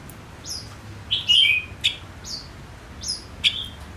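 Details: Decoy male Gouldian finch singing to draw in wild birds: clean high whistled phrases, a louder double-toned note at mid-range, crisp clicks and flat whistles repeated about every half second in a quiet setting.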